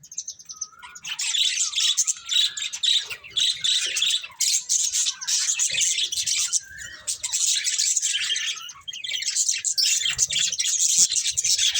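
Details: Budgerigar breeding pair, colourful birds, keeping up a nearly continuous stream of high, scratchy chirps and warbles after a quiet start, with only short gaps.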